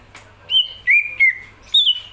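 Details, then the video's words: Greater green leafbird in full song: four loud, clear whistled notes separated by short pauses, the first steady, the middle two slightly falling, and the last starting high then dropping, all pure and ringing against a quiet background. "cucak ijo gacoran"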